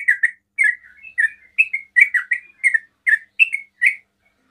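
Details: Fast ropel-style song from a yellow-vented bulbul trying to make other bulbuls answer, a series of short bubbly chirps and slurred notes, some paired, coming about twice a second.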